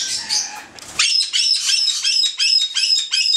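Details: Two male white-bellied caiques of the subspecies xanthomeria, captive, calling: harsh, high, strident squawks repeated rapidly about three times a second, preceded by softer mixed chatter.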